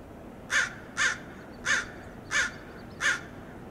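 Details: Five evenly paced, raspy caws from American crows mobbing and dive-bombing a red-tailed hawk perched beside a road in Del Monte Forest, California, with a quiet outdoor background.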